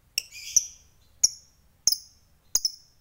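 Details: Fighter lovebird giving short, sharp, very high chips, about four quick clipped notes spaced roughly every half second to second, a bird used to provoke rivals; little else heard.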